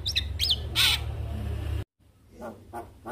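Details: Javan myna, usually reluctant to sing, reacting to a lure recording: quick high whistled loops and a loud scratchy burst, a brief break, then three spaced harsh notes.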